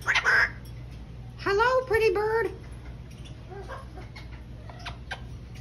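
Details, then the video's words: A sulphur-crested cockatoo in a pet shop in Richfield, Minnesota, gives a brief harsh screech, then two raspy, speech-like phrases, likely "pretty bird," over a steady indoor hum with faint clicks. "Hello Pretty Bird! Cockatoo"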